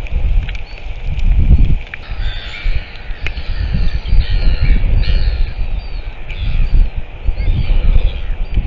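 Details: Northern royal albatross recorded on 17 March 2023. Hoarse, harmonic calls rise and fall in a series from about two to six seconds, partly buried under heavy low wind rumble and buffeting.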